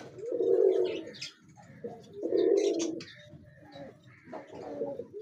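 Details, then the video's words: Pigeon cooing indoors: three low, throaty, rolling coos about two seconds apart, each lasting under a second, with faint higher chirps and small clicks between them. "pigeon sound"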